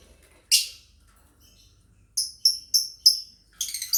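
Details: Family of lovebirds chirping as a training master song: one harsh squawk, a pause, then four quick evenly spaced high chirps and a fast chattering run.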